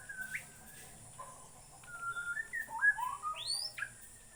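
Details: Bornean white-rumped shama giving scattered whistled notes, then a faster sequence of sliding, rising and falling whistles ending in a high upward sweep.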